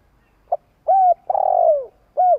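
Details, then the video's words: Long coo of a spotted dove, used to provoke another dove into calling: a brief soft note, then three mellow hoots, the middle one long and falling in pitch. The background is quiet. "Chim cu gáy tiếng gù dài kích bổi nge là gáy"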